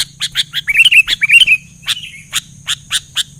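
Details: Sooty-headed bulbul singing vigorously while other bulbuls quickly answer. Sharp bright chirps lead into a brief run of fluty whistles that rise and fall. More chirps follow, spaced about twice a second. A steady thin high tone runs throughout.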